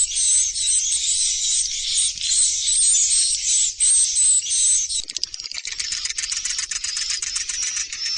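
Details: Swiftlets in a productive swiftlet building: a loud, continuous, high buzzy chatter that shifts into a fast rattling trill halfway through, with a low hum underneath.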